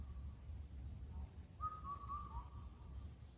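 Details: Indian cuckoo singing on Cheonmasan near Incheon, Korea, in late spring. One clear, pure, whistled four-note phrase with a falling final note stands above a low rumbling background.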